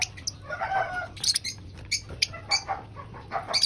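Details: Lovebird at breakfast, eating, giving short shrill high chirps in scattered bursts, with sharp clicks and small rustling sounds between them.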